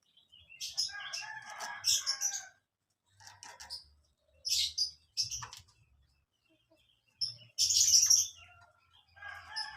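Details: Young canaries chirping, used as lure material for training canaries: clusters of high, scratchy chirps and brief trills that come and go in irregular bursts, with a faint low hum in the background.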